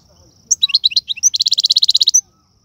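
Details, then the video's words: European goldfinch, Algerian type, in a tiwawati and serfati song: a few quick rising-falling twitters running straight into a fast, evenly pulsed metallic trill lasting under a second. "من اقوى اغاني طائر الحسون, تيواواطي قالوبي النادرة + سرفاتي"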